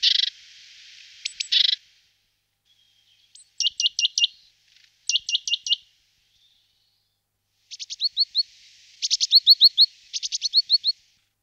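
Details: Great tit settling into a nest box gives a buzzy opening note, then spaced bursts of three to five clipped, high ticking notes, later a longer run of quick sharp notes with short gaps.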